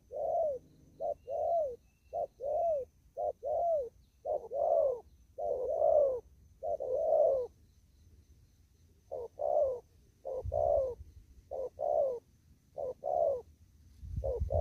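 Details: Wild spotted dove in an upland field, 'đồng thúc gù' style: long sequence of about eleven paired hollow coos, short then longer and falling, a brief pause midway and a low thump near the end.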